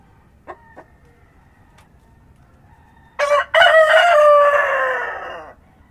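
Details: Countryside rooster at daybreak, quiet farm ambience with a few faint clucks before a single loud crow that starts with a short syllable and stretches into a long, gradually falling note.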